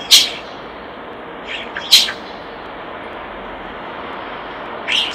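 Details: Common starling at a nest box making sharp, clicking bursts: two loud snaps about two seconds apart, softer squeaks between them and a final click, over steady hiss.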